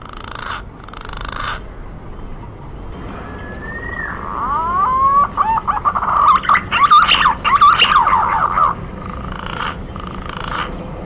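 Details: Male green pigeon call, used as a lure to draw wild birds in: a run of loud, wavering, whistled notes that rise and fall with a throaty tone. It follows a hissy, noisy opening and ends in a soft rushing background.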